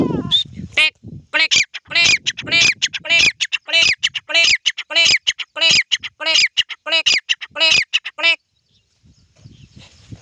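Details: Grey francolin (titar) calling in the morning during a walk: a rapid series of loud, harsh, ringing notes, several each second, for about eight seconds before the sound stops and only faint background remains.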